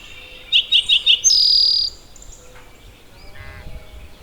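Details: At Maxwell Game Preserve, an Eastern Towhee sings four quick, clipped notes and then a high, ringing trill lasting over half a second, like 'drink your tea'. Faint bird calls follow.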